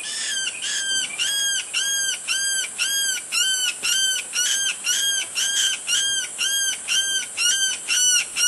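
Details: Yellow-headed caracara (Milvago chimachima) giving harsh, hoarse screams with a nasal, arched quality, repeated about twice a second in a steady, insistent series.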